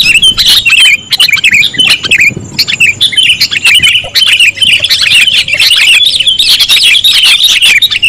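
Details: Sooty-headed bulbul calls used for luring: a busy, agitated chatter of quick slurred chirps, rising in intensity in the second half with overlapping voices.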